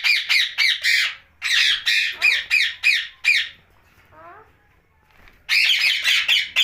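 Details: Harsh rapid screeches from a rose-ringed parakeet at night, delivered in fast runs, broken by a quieter stretch of soft wavering chatter before a final burst of squawking.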